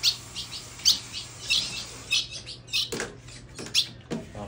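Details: Caged female Colombian Ultramarine grosbeak calling a lot while coming out of moult. Short, sharp high chirps are given singly at uneven intervals, about ninety-five a minute, over a low steady hum, with a few duller knocks near the end.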